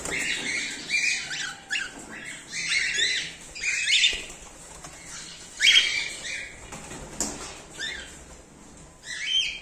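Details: Cockatiels of cream face ino and normal grey colours in a breeding colony during the 2024/2025 season. Bursts of high, grating chirps from several birds come and go every second or two, with a few soft rustles.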